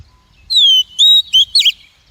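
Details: Female Oriental magpie-robin call used to excite wild-caught males and as a trapping lure: a clear falling whistle, a rising-level whistle, then two short burry notes in quick succession, with a faint low rumble.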